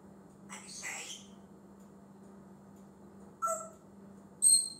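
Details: Male pet African grey parrot known for talking and copying sounds makes a soft rasping sound, a short whistled note later, then a sharp high-pitched squeak at the end; quiet indoor hum throughout.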